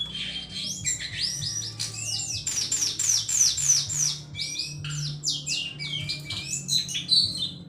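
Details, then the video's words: Cingcoang, the Sunda laughingthrush, pouring out dense song of fast chattering, warbled notes and rising whistles in quick succession, with a low background hum. "Burung cingcoang gacor teler."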